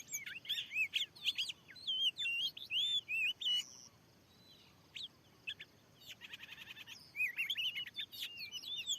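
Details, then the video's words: Aggressive wild oriental magpie-robin at a lure in a new field: lively whistled phrases, a quiet pause, then rapid buzzy rattles and renewed whistling. "Teryata dilahan yg baru steling ini ada burung Kacer yg sanggat ganas....!!!!"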